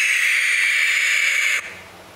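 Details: A barn owl chick gives a sustained, wheezy screech for about one and a half seconds, then it cuts off sharply into quiet background.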